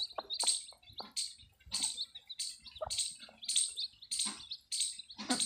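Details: Chicks just hatched to a Desi hen on a farm peep in sharp, high chirps, spaced roughly every half second to second, each a quick bright burst with faint lower clicks.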